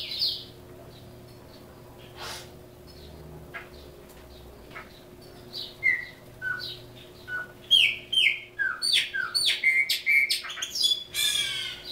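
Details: Caged chopi blackbird, a bird native to Brazil, singing: quiet opening with scattered short notes, then a rapid run of loud whistled, sharply slurred notes and buzzy bursts building toward the end, with a steady low hum underneath.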